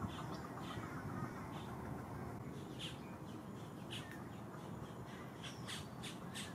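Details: Three green heron chicks in a nest at Lake Hollingsworth, Lakeland, Florida, fighting over food and grabbing at the parents' beaks; short harsh clicking bursts repeat every half second or so above a steady low rumble.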